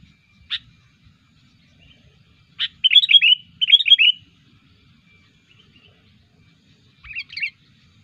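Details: Sooty-headed bulbul lure song, lively and chattering, used to attract birds for trapping. Sharp single notes are followed by two quick bubbly warbled phrases a second apart. A final short chirpy burst comes after a pause, against a quiet background.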